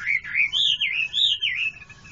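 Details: Chinese hwamei (Garrulax canorus), song.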